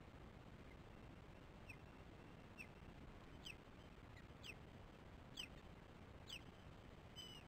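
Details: Osprey at a nest in the morning as the female feeds the chicks: thin, wavering whistled chirps with a downward slur, repeated about once a second over steady low background noise.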